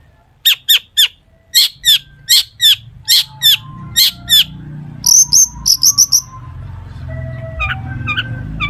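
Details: Long-tailed shrike in energetic mimicry-rich song for prompting other shrikes: evenly repeated sharp chirps, then a burst of high whistled notes, with faint steady tones and low background rumble toward the end.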